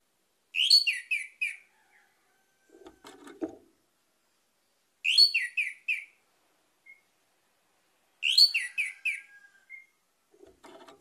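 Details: Orange-headed thrush song used as a lure to get other birds singing: three rich whistled phrases of slurred, warbling notes, each about a second long and a few seconds apart, with soft low rustling knocks between them.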